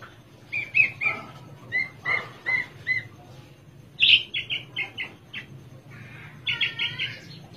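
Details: Javan Horsfield's bush lark, caged and sitting relaxed, mixes rising whistled notes, sharp high chirps and a buzzy warbled phrase in varied, irregular sequence.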